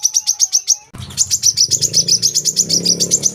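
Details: Olive-backed sunbird singing for training young birds: a quick run of high, sharp chirps, then a rapid, even trill of bright notes with a steady low rumble and hum underneath.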